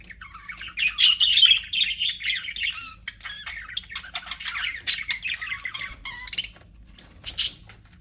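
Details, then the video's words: Budgerigars kept as pets in an aviary give a quick run of squawky, buzzy chirps with short rising and falling warbles, followed by scattered quieter notes and a final sharp chirp. "HAPPY BUDGIES SOUNDS"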